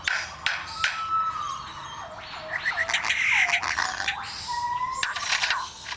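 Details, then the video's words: Captive male Superb Lyrebird at Adelaide Zoo copying construction noises heard during building work nearby: sharp hammer-like knocks, a mechanical whine rising and falling, a sustained tone, and buzzy tool-like bursts mixed together. "Superb Lyrebird imitating construction work"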